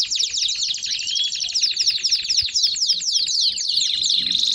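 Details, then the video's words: Canary song in the baderna style, meant to warm up other canaries: dense, high, overlapping run of rapid trills and downward-sweeping whistled notes, with a brief smoother rising whistle near the one-second mark. "Canário Baderna de Para Esquentar Seus Canários!!!"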